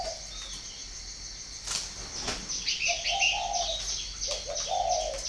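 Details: Spotted dove in Ba Vì, northern Vietnam, with a brief coo, sharp wing flaps, then two fuller rolling coo phrases. Busy high chirps from other birds are mixed in.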